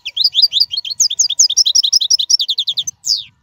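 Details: European goldfinch singing, a free wild bird's song used to teach caged young birds: fast run of bright twittering notes repeated in quick succession, ending with a descending buzzy slur, clean background.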